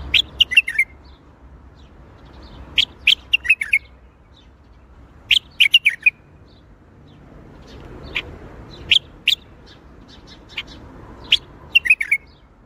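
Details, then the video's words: Baghdadi-style bulbul song (tor Baghdadi): a string of brief bubbly phrases of sharp whistled notes, delivered every one to three seconds, clear against a quiet background. "تغريد بلبل طور بغدادي"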